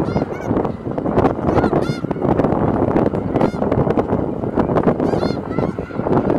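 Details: Snow geese, a migrating flock wintering in Skagit Valley, Washington state, in April: a dense, continuous chorus of nasal honking calls from many birds at once, overlapping without pause.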